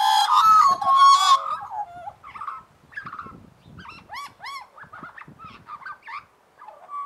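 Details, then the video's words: Australian magpies in a group warble together, opening with a loud, rich, ringing chord of harmonics, then breaking into scattered short yodelling and chortling notes with brief pauses between. "Australian Anthem - Magpie Style!"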